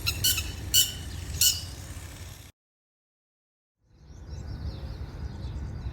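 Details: Red-wattled lapwing from a family nesting on a Dubai campus rooftop just before spring break gives three sharp, high, piercing notes about half a second apart over a low rumble, then a break and faint distant noise.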